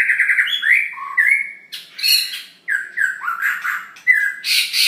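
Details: Long-tailed White-rumped Shama in full song with mimicked phrases: clear whistled notes near mid pitch, sliding and warbling, broken by short harsh buzzy bursts and high rasping notes, phrases separated by brief pauses.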